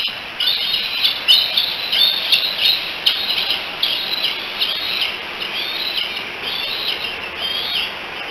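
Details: Young bald eagles, three eaglets at the Decorah cam nest on 16 July 2018, calling, probably for their mother: a steady series of high, squeaky piping notes, denser early on and fading toward the end.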